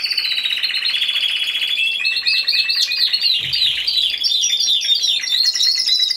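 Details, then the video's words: Solo Timbrado Español canary judged in category C2 at a song competition, 26 November 2015: a long steady trill, then faster, warbling, rippling high phrases. A faint low knock is heard midway. "Καναρινιών Φωνής Timbrado Español"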